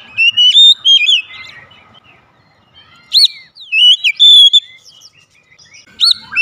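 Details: Oriental magpie-robin song played as a training recording to prompt birds to sing: clear whistled phrases with sharp rising and falling notes, in three bursts separated by short pauses.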